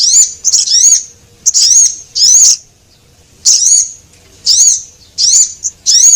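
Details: Lure call of Javan munia, male and female, used to attract small birds: sharp, high-pitched buzzy chip bursts in irregular clusters with a pause in the middle, loud and close, background otherwise quiet.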